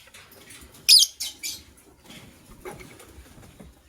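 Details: White lovebirds, a pair, chirping in the morning. A loud shrill squeak is followed by two quicker, fainter scratchy chirps within half a second, then low rustling and tapping.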